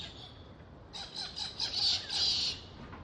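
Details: Galah parrots in Australia giving a burst of harsh, rasping squawks, several overlapping screechy calls rising and falling over about a second and a half after a quiet start.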